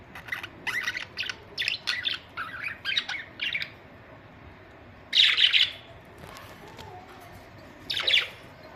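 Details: A string of about eight quick chirped budgie notes opens, followed by a loud harsh squawk and one more sharp call after a pause.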